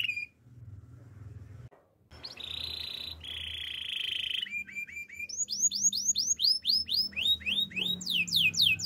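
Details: Canary in singing practice. Sustained level buzzy tours are followed by a series of rapid rising whistled sweeps, repeated several per second. A faint low hum sits beneath.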